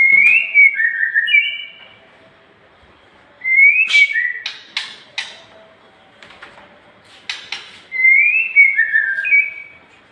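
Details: Nias hill myna song for training cage birds: loud clear whistled phrases stepping between two pitches, then a burst of sharp clicks and rasps, with the whistled phrase returning after about four seconds of quiet.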